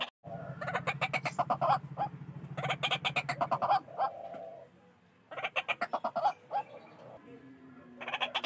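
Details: White-breasted waterhen calling for a trapping lure: clustered runs of harsh, rapid croaking notes lasting one to two seconds, separated by quieter pauses, over a deep steady hum.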